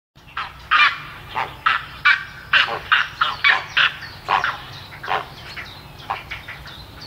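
Harsh, raspy croaks from grey herons, repeated about once a second at uneven strength, as if several birds call in turn over a low background rumble.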